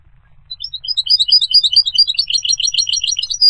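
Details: Bright, high goldfinch song building from scattered chirps into a continuous rapid jingle of liquid twittering notes.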